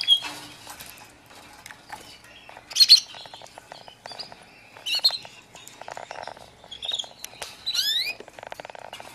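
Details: F1 canary, a prospective fighter bird, singing a varied, high-pitched song of quick trills, chattering bursts and a rapid descending sweep near the end, with louder bright notes at intervals and faint rustling in the background.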